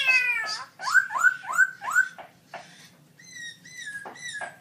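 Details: Caged black-throated laughingthrush singing very loud in a birdsong contest, October 2016: rich harmonic notes rising quickly, four delivered in rapid succession, then a level whistled tone with bright overtones and a few sharp closing notes.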